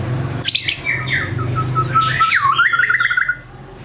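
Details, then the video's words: White-rumped shama singing energetically to prompt silent birds: a sharp high burst, descending whistled notes, then a rapid warbling trill that dips and wavers before stopping abruptly, over low background hum. "MURAI GACOR BONGKAR MATERI, PANCINGAN MURAI MALAS BUNYI AGAR GACOR"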